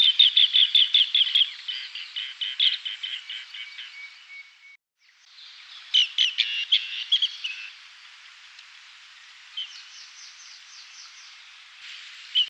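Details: Asian green bee-eater (Merops orientalis) in Sri Lanka gives rapid, high trilling chirps in quick bursts, with a pause midway and fainter chirps toward the end.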